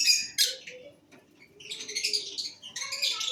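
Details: Cobalt masked lovebirds chattering with raspy, high shrill bursts, a short pause, then a longer continuous stretch of scratchy twittering.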